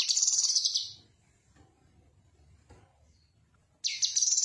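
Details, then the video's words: Cucak kinoi, recorded as tutor song for other birds: the tail of a high, rattling trilled phrase, a pause with faint low rumble, then another fast buzzy phrase beginning. "Suara Khas Burung Cucak Kinoi Untuk Masteran"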